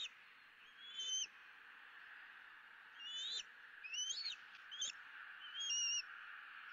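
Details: Eaglet E9 at a Southwest Florida nest calling for food, 06:54 on 2 April 2017, parents in the dead tree; squeaky, rising whistled chirps, some doubled and quick, others drawn out, over a continuous hissing background.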